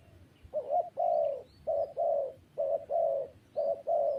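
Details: Mellow, mid-pitched coos from a spotted dove, three phrases in quick succession, each a brief hooked note leading into a longer level coo, low background noise.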